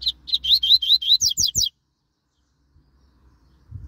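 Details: Double-collared seedeater singing a rapid high phrase of some ten evenly paced chirps that steepen into sharp rising whistles, then stopping abruptly; faint low hum and a soft knock in the background.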